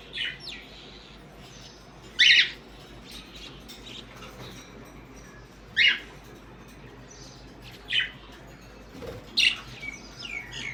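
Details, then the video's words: Morning parrots calling with brief, grating screeches spaced about every two to three seconds, five clear bursts over steady low background hiss. "Parrots morning video"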